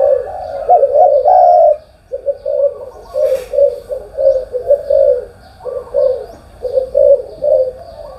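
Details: Spotted dove cooing in the morning: a loud drawn-out opening phrase, a short gap, then a long series of short, low coos in quick succession; a brief click near the middle.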